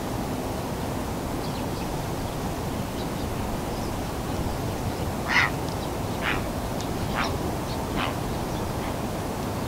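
Slaty-breasted Rail giving a short series of about four sharp, harsh notes, roughly one per second, over a steady low rumble of background noise.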